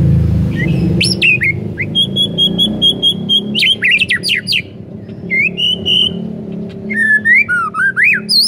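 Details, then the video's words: Lure song of a White-rumped shama for prompting other shamas to sing: a varied run of trilled buzzes, sharp downslurs and looping whistles over a low hum. "Belum 1 MENIT di PANCING Murai manapun AUTO GACOR NGEPLONG mendengarnya"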